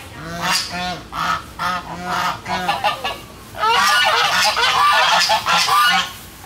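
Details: Flock of domestic geese giving rapid nasal honks, roughly three per second at first, then a louder burst of many overlapping harsh calls; ducks also calling in a noisy scene recorded 13 August 2016.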